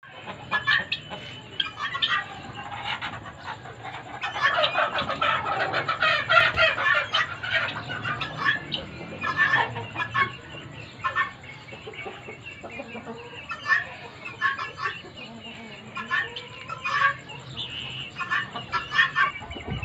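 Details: Breeding guinea fowl kept for egg laying, a flock giving dense overlapping harsh, rasping calls and clucks throughout, with a steady high whine in the background.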